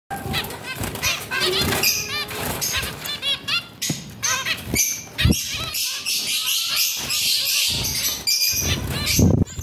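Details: Zebra finches in a captive breeding colony chatter together, giving short nasal beeping calls over bursts of fluttering wings.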